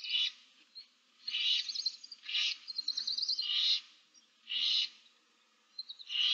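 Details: Several barn owl nestlings in a nest box of seven chicks, March 2024, hiss almost continuously, overlapping rasps mixed with quavering trilled notes and faint low rustling.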